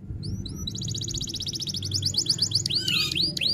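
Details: F1 canary in full, long-lasting rolling song in the rol tembak style: rapid, high, even trills of short notes, then a series of loud upward-sweeping whistled notes near the end, over a low steady hum.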